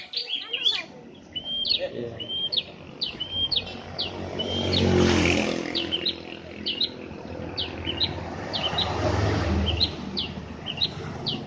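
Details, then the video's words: Prinia song played to provoke a ceplier into answering: sharp, high chirped notes repeated in quick bursts, several per second, with rustling outdoor background noise and a rumbling low hum mid-clip. "10 detik burung CEPLIER PASTI nyaut dengar kicauan burung prenjak ini"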